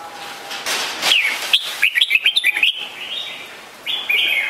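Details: Red-whiskered bulbul giving a lively run of short, liquid chirped notes in quick succession, followed after a pause by a brief bright phrase near the end, over soft hiss.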